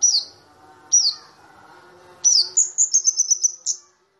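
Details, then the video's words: Flowerpecker known as kamade or burung cabe, recorded as a lure for training white-eyes: two single sharp downslurred chips, then a quick, even series of about eight high, thin ticking notes, over a faint low drone. "Pancingan Cabe-cabean #kamade"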